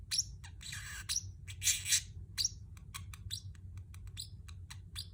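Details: Pet Pacific parrotlet chirping, played as company for another pet bird: quick, high, thin chirps, some single and some in short clusters, over a steady low hum.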